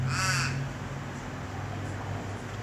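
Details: An Australian crow gives a single harsh, nasal caw lasting about half a second, followed by a steady low hum, in Australia.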